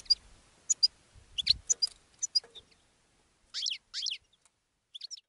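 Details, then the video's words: Caged European goldfinch singing and attracting other goldfinches: rapid bright twittering notes, then two loud harsh buzzy rasping phrases and a final quick high twitter, with faint low thumps early on. "GOLDFINCH SINGING in a Cage and Attracting Other Goldfinches"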